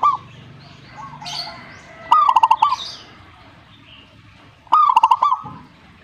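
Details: Perkutut, or zebra dove, answering another bird's song. Two clear phrases come about two and a half seconds apart. Each is a short upslurred note that breaks into rapid, bubbling, pulsed coos. Fainter bird sounds are heard earlier.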